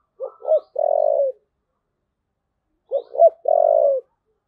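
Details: Spotted dove giving the 'thúc gù' style of coo: two low, short rising notes followed by a long, steady, slightly buzzy held coo, the phrase repeated twice with a pause of about one and a half seconds between.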